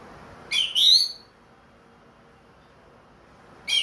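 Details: Ringed captive orange-headed thrush, singing again after moulting, in 'plong' style: a short clear whistle followed by a longer, rising, overtone-rich note, then quiet until another note begins.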